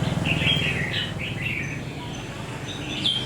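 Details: Caged wild-caught red-whiskered bulbul, ten days in the cage; a brief warbled whistled phrase of quick chirps, then a pause and a single bright whistle, steady low background noise.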